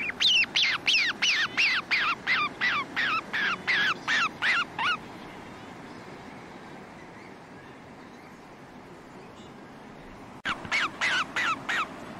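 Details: White-faced storm petrel (Pelagodroma marina) calling and singing: a rapid run of about a dozen harsh, down-slurred notes, roughly three per second, for five seconds, then a quiet pause and a second short burst of similar notes near the end.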